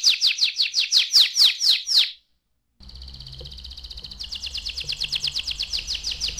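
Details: Canary song meant to get young canaries singing: about two seconds of quick, loud downslurred chips, a brief pause, then a rapid buzzy trill that speeds up over a faint low hum.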